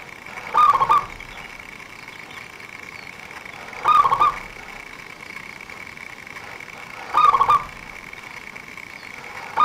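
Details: Local zebra dove singing persistently, kept as a lure for bird trappers. Brief rolling cooing phrases recur about every 3.3 seconds, each lasting under half a second, over a steady background whine.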